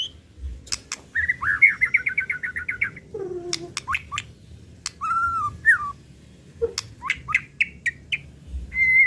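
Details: White-rumped shama giving an emotional lure song that unloads its repertoire: bursts of rapid whistled trills and slurred notes broken by gaps, with a lower buzzy phrase and sharp clicks between them.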